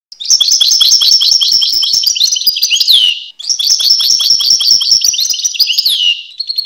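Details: Two long phrases of European goldfinch (Carduelis carduelis) song, each a fast, tinkling, twittering stream ending in a downward-sliding note, split by a short gap.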